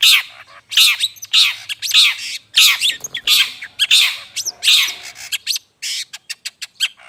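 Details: Long-tailed shrike, used as a bird-luring call: repeated coarse, buzzy squawks about twice a second, breaking into a burst of quick thin clicks near the end.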